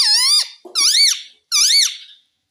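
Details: A parrot repeating "mummy" indoors, with three loud, rich, speech-like syllables, each sliding down then up in pitch and lasting about half a second.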